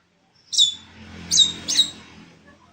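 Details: Black-winged myna giving three sharp, squeaky whistled notes, the first longer and louder, the last two close together, in lively song.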